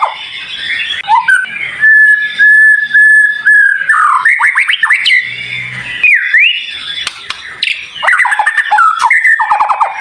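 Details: White-rumped shama tutor song with dense, sharp, high-pitched fills: a long steady whistle, then tumbling slurred notes, dipping whistles and a closing flurry of rapid downslurred notes.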